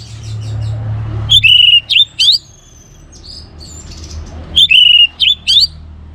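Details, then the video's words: A vigorously singing orange-headed thrush, meant to spur other birds into song: two clusters of loud, sharp whistled notes with upward slurs, separated by a quiet stretch with a thin high whistle. "ANIS MERAH Gacor Untuk Memancing Burung Jadi NGeplong Bahkan Teler"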